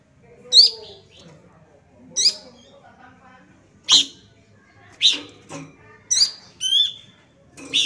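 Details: Young Sunda bush warbler, described as calling busily: sharp high chirps with a short downward hook, given singly or in pairs about every second, against a faint low background murmur.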